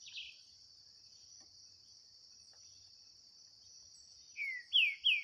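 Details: Green-winged saltator singing in a 2023 dispute against a free bird in the bush. Mostly a steady high insect drone, then three loud, whistled, falling notes near the end.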